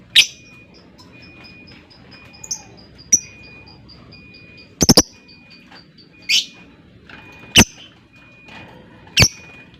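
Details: Lovebird giving a long chattering 'ngekek' performance in reply to a rival, recorded as a lure to set other lovebirds singing: runs of fast, high, even ticks broken by sharp, loud shrieks about every one to two seconds. A faint steady tone sits underneath.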